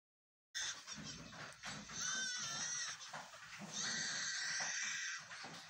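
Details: A Superb Lyrebird of Australia gives a dense run of mimicked sounds, high wavering cries and bleat-like wails very like human children's voices, with a brief trilling flourish in the middle.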